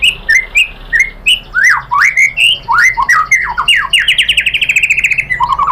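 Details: White-rumped shama song used as a lure to provoke a reply: sharp whistled notes, sweeping slurred phrases and a fast stuttering trill of repeated notes toward the end.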